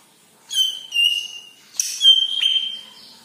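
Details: Leafbird (cucak ijo kepala kuning) song meant to make other birds sing: two drawn-out, ringing whistles, the second preceded by a harsh burst and ending with a slight pitch drop.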